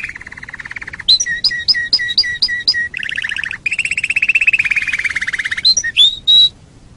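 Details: Canary song recorded as training material for other songbirds: loud varied phrases, a steady buzzy trill, then quick repeated rising whistled notes, a long rapid rattling trill, and closing upward-slurred pure whistles.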